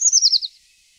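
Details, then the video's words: A Eurasian treecreeper gives a thin, very high phrase of about five quick notes that slide steadily downward over half a second, then falls silent. "głos „pełzacza leśnego”"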